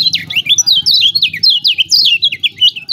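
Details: Lemon-bellied white-eye of Lombok, known locally as kecial kuning, pouring out a continuous string of sharp, high, zigzagging chirps in its ciak ciak song meant to trigger lazy singers.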